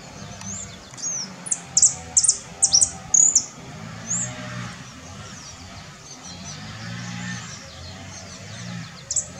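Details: Saffron finch at Herradura, Formosa, gives sharp, high chirps in a quick burst of about a dozen, then fainter scattered notes, over a low steady hum.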